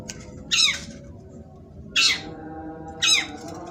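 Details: Long-tailed shrike in sembur style, giving three rasping, downward-sweeping squawks at about one-second gaps, with a constant low droning hum underneath.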